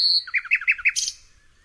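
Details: Nightingale song phrase opening with a high sustained note, followed by five quick, evenly spaced downslurred chirps and a sharp, higher buzzy flourish that fades out.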